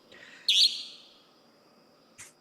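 A Common Nighthawk gives one loud, nasal, buzzy peent, then a fainter note nearly two seconds later. A thin, steady high tone lingers in the background.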